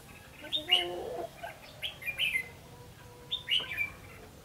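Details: A red-whiskered bulbul's fighting song recorded during decoy trapping on 3 January 2016, with quick whistled notes that dip and lift, delivered in clusters roughly a second apart, and some lower chatter and background hiss.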